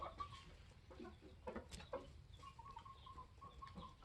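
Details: Polish layer hens, 21 weeks old, kept with a protective rooster: a flock gives short soft clucks and thin whistled notes near one pitch, several quick level peeps in a row later, over steady low background rumble.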